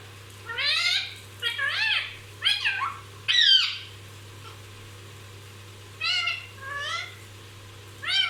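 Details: Nonstop-chattering pet parrot: a quick run of four rasping, rising-and-falling harmonic calls, then a pause and three more, with a constant low hum underneath.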